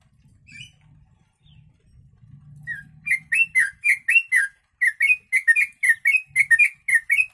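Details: Yellow-vented bulbul singing with sooty-headed bulbul (kutilang) phrases, suited as tutor audio for songbirds: faint low rumbling noise at first, then a steady run of bright, liquid bubbling notes, about four a second, broken by one short gap.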